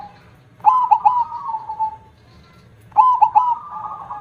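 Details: Perkutut (zebra dove) singing with a big voice: two phrases of three punchy staccato coos, each ending in a drawn-out, gently trilled level note. A weaker cooing dove is audible behind.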